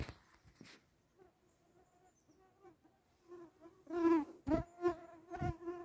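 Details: Kempele, Finland, 9 July 2022: at first a Willow Tit's faint, spaced, nasal "tsää tsää" calls, later louder harsh, drawn-out alarm calls near the end, said to come from a crested tit.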